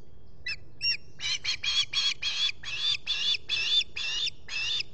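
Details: Osprey at a Salt Point nest camera in New York's Finger Lakes, morning of 23 July 2021, reacting to a visitor. Two short opening chirps, then a steady run of strident, piping notes at a quick, slightly uneven pace.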